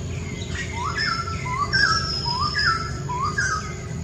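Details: Wild White-crested Laughingthrush heard outdoors: a repeated pattern of short rising whistled notes, each followed by a higher slurred note, roughly every 0.8 seconds, over a steady low rumble and a thin high hum.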